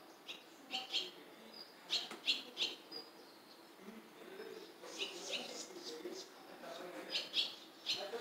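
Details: Barn swallows at a nest where chicks beg for food from a parent, Jeongseon bus terminal, Gangwon-do, South Korea. Clusters of sharp, high chirps in short runs of two to three notes, with a softer twittering stretch between. Smartphone recording.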